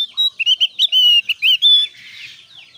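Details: Lure song of a Javan grey-throated white-eye, meant to prompt quiet birds to sing: a fast burst of high whistled chirps and short slurred notes ending in a long whistle, then fading into a soft hiss.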